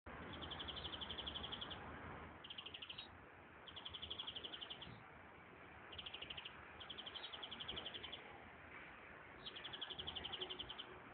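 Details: European greenfinch singing in nature: quiet, buzzy trilled phrases of rapid notes, each one to two seconds long, repeated after short gaps over a steady rushing background noise.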